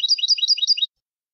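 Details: European goldfinch singing a copia malaga motif for tutoring young birds: under a second of fast, repeated twittering units, about four rolling high phrases in quick succession, then silence.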